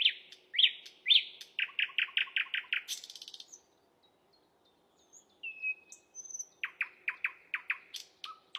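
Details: Asian brown flycatcher song for masteran songbird tutoring: quick runs of bright repeated chirps, about two per second, a brief harsh buzzy burst, thin high whistles, then another lively series of clipped repeated notes.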